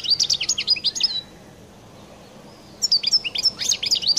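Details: European goldfinch of the Collo kind in distinctive song: quick tinkling, slurred chirps in a lively jumble. After a gap of over a second, a second busy twittering phrase starts.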